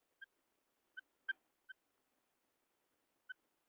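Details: A female quail gives five brief, clear piping notes at uneven intervals, one louder than the rest, against a quiet background with a soft low hiss.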